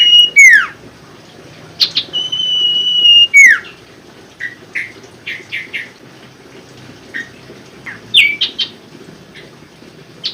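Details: Common Iora song used as a lure for birds that are slow to sing: long steady whistles ending in sharp downward sweeps, followed by scattered short chips and a rising, bouncing phrase, over soft background noise.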